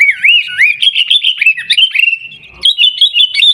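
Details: A sooty-headed bulbul in Pidie, Aceh, sings Gaya Garuda style: swooping, looped whistles and quick wavering trills, briefly interrupted by a soft thud before resuming higher.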